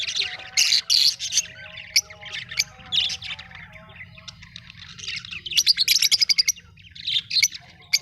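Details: Several colorful Australian budgies chatter in clustered bursts of bright, rapid tweets and warbles, with a quick run of repeated clicks in the middle and short pauses between bursts.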